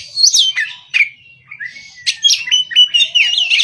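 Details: Morning song of an Oriental magpie-robin, a rich medley of clear whistles, falling slurs and quick chattering notes, with a brief lull before a fast run of zigzagging phrases.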